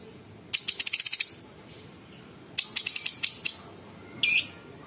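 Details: Bulbul singing varied mimicked phrases: two rapid rattling trains of sharp high notes and a short harsh squeal at the end.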